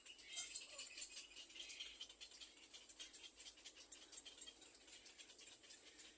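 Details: Little black cormorant chicks waiting for their mother to bring food, giving a steady stream of thin, high-pitched squeaky begging notes that overlap in a continuous chattering chorus.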